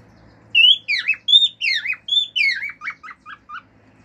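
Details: Singing male cockatiel, a household pet, giving natural calls: a clear phrase of rising and falling whistles that breaks into five quick descending chirps, in a quiet room.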